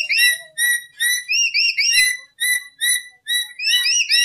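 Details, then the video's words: Lory whistling for use as a lure: steady, evenly spaced whistled notes roughly twice a second, each bright and slurred, building to rising swoops toward the end. "Suara Burung Nuri Full 1 Jam Masteran untuk Pancingan"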